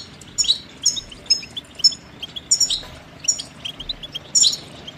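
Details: Goldfinch song with repeated bright chirps and short twittering phrases about every half second, set against a light hiss of background noise.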